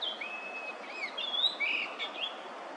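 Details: Yellow-billed grosbeak song in early May 2024, Korea: a somewhat distant series of whistled notes, long level tones and slurred phrases, against noticeable background hiss.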